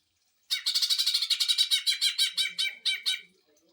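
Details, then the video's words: Greater green leafbird song in the 'tembakan mesin jahit' (sewing-machine volley) style, used for training other birds and provoking them: a fast burst of about seventeen harsh, chattering high notes over three seconds, then quiet. "CUCAK IJO TEMBAKAN MESIN JAHIT UNTUK MASTERAN DAN PANCING EMOSI"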